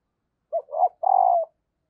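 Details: A female spotted dove gives her call to prompt males to coo: three low coos in quick sequence, short, then rough and swelling, then a long steady coo fading at the end, in silence.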